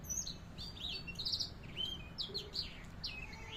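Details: Canary song used as a training tutor in Indonesia, a string of bright whistled swoops and short chattering trills, some notes repeated in quick pairs, with faint low background noise.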